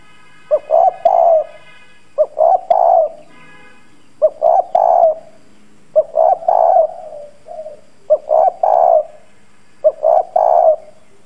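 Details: Decoy spotted dove, hoarse bronze voice, cooing to draw a response from wild doves; six deep short-short-long coo phrases, one roughly every two seconds.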